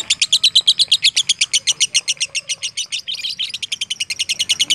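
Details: Lovebird singing in the fighter style used as training song for other birds: a fast, unbroken stream of sharp, high chattering notes, roughly nine per second, with a brief denser burst near the end; faint low whistles underneath.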